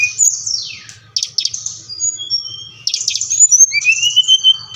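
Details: Brown-chested jungle flycatcher, song aimed at getting captive birds singing; a long downward-sweeping whistle, buzzy bursts, level held tones and a closing upslurred whistle, over a quiet low hum.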